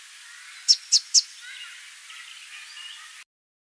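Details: Immature male Southern Double-collared Sunbird gives three sharp, high chipping notes in quick succession, followed by faint high twittering against a quiet background.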